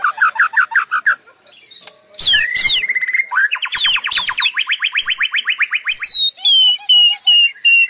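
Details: Non-stop white-rumped shama song: rising whistled strokes, then loud sweeping notes, a long rapid buzzy trill, and high clear downslurred whistles repeated several times.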